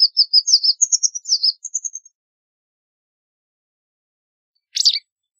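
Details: White wagtail singing a quick run of high, chirping twitters for about two seconds, notes stepping slightly upward, then silence and one sharp, scratchy chirp near the end.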